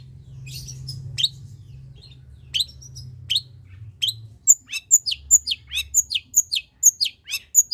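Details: Long-tailed shrike singing in the energetic pastol gacor style, used as a lure to stimulate lazy shrikes to sing. A faint low hum comes first, then sharp high chirps quicken into a steady run of piercing, downward-sweeping notes about three per second.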